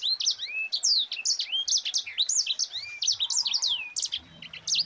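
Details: Mozambique canary in gacor rolling song, a tight continuous run of high, sweeping whistled notes, many sliding down or up, sung with barely a pause across the whole stretch.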